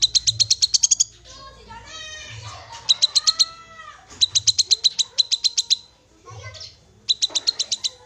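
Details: Call of a black-capped babbler, locally kinoi, played to make a raw bird sing immediately: short bursts of five to eight rapid, high chips, with gliding whistled notes softly in between.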